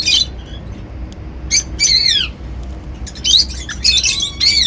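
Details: Cockatiels eating seeds, calling in bright bursts of harmonic, arched whistles that sweep up then down, several calls in under five seconds, with a low hum underneath.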